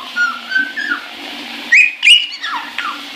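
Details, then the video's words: Pet caique singing happily in the shower, filmed in January 2016: clear whistled notes around mid pitch, some sliding down, then a pair of louder rising whistles and falling slurs, over a steady low hum of running water. "Caique Shower Song"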